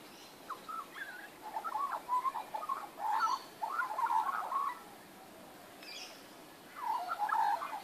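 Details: Backyard magpies, 19 April 2014, carol in bursts of gurgling, fluty warbles, with two longer phrases, a short pause and a final burst, all over quiet hiss.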